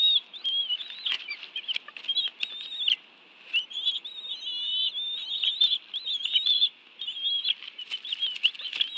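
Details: Quieter, jittery high whistling, broken by a gap near three seconds, as bald eagles eat fish at their nest in the National Arboretum, Washington, D.C., 11 June 2017; both adults brought fish for two young; faint tapping throughout.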